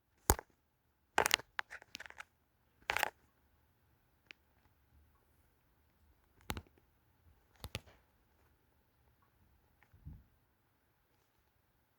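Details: Sharp cracks and crunching taps sound in a quiet small room, with no animal voice.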